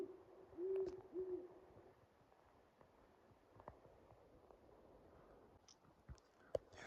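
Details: A big owl, spotted by the hunter, gives a short run of low, steady hoots from out in the woods in the first second or so. It is a snowy late-season morning at 31 degrees. Then the woods fall quiet apart from faint clicks and rustles.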